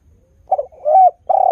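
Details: Part of a spotted dove's lure song for drawing other doves into calling: a short stuttered coo, a rising coo, then the start of a long steady coo cut off at the end.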